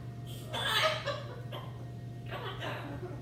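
Macaws give two bursts of harsh, throaty, chuckling and speech-like sounds about two seconds apart, over a steady low electrical hum indoors.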